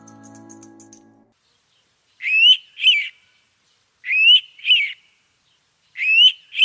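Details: Indian Pitta giving its distinctive clear two-note whistle, a rising note then a second, repeated about every two seconds. This call is heard at dawn and dusk, hence 'six o'clock bird'. A brief musical hum opens the recording.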